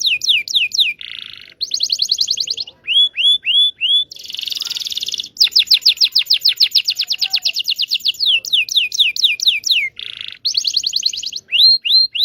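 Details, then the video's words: Indonesian local canary song meant to coax non-singing canaries and train young birds: rapid runs of high slurred whistles alternate with dense buzzy rattles and a few rising upslurred notes, loud and varied throughout. "PANCINGAN KENARI MACET BUNYI.. PANCINGAN KENARI PAUD BELAJAR BUNYI"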